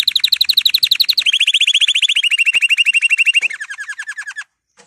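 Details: Excited male canary in breeding-preparation song: rapid rolling trills delivered in tours, each tour dropping to a lower pitch, steady and fast, ending abruptly in silence with one faint final note.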